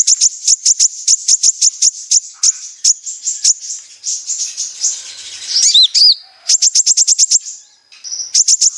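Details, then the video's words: Lure recording of a sunbird, called kolibri ninja locally, to draw sunbirds into song. Rapid, piercing high chips repeated in long even runs, broken by a brief buzzy sweep and a short high whistle before the chipping resumes. "Pancingan burung Kolibri ninja gacor"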